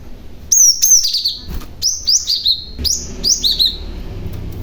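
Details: Lure call of a young cinereous tit meant to provoke other tits, clean high whistles falling in pitch, delivered as rhythmic pairs of notes several times in succession over quiet background hum.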